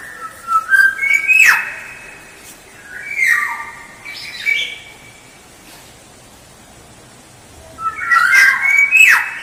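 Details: Black-naped oriole lure song: a stepped whistled phrase ending in a harsh downward rasp, two shorter fluty notes with nasal edges, a pause of several seconds, then a busy burst of rich whistles and rasps.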